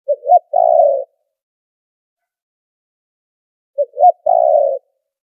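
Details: Spotted dove call prepared as a trapping lure with background noise removed: two clean phrases, each a quick low note, a rising hoot and a sustained rough coo, separated by over three seconds of silence.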